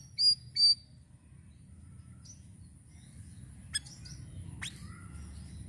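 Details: Sirisiri bird used as a lure call: two loud bright whistled notes about half a second apart, then scattered faint chips and a short rattling burst, all over a low hum.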